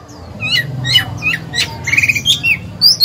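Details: Caged oriental magpie-robin kept as a lure bird, singing to provoke other birds into song and to train young birds; scattered short whistled and slurred notes, some squeaky, over a steady low hum.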